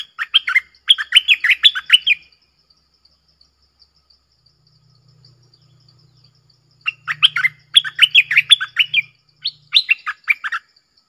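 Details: Red-whiskered bulbul song in the double style, clear and pleasant: a two-second flurry of lively whistled notes, a long silence, then two more bursts of bright, bouncing chirps, the second set split by a brief gap.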